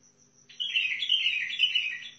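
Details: A Basra bulbul gives a quick, bubbling run of bright warbled notes lasting under two seconds, while a thin, steady high tone and a low hum continue behind it.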